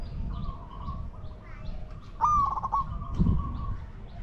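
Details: Spotted dove coo during decoy luring of wild doves: one loud phrase of a steady note splitting into quick pulses, with softer distant coos before and after and low background noise.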